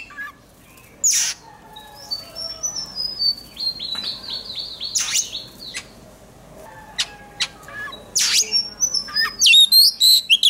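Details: Oriental magpie-robin giving fired-up contest song during voice training: scattered phrases of sharp descending whistles and a run of repeated clipped notes, separated by quiet gaps, ending in a quick burst of high chirps.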